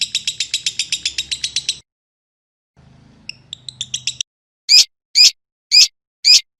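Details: Lovebird masteran audio for drawing a response: a quick pulsed trill under two seconds, a pause, a softer trill fragment over a low hum, then four loud, sharp, upswept chirps.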